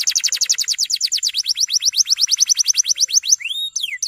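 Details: Long song of a male canary used as a training model for young birds: a fast rattling tour of short descending notes, around eight per second, ending in a few slower upswept and falling whistles.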